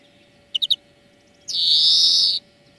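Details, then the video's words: European greenfinch song played as a lesson for training birds: a quick three-note trill, then a long, harsh, buzzy wheeze lasting about a second. "Florya Ötüm Dersi"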